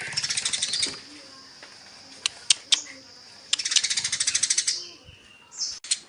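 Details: Eurasian tree sparrows in a fight: two bursts of fast, harsh, high chattering, each about a second long, separated by scattered sharp clicks and brief chirps.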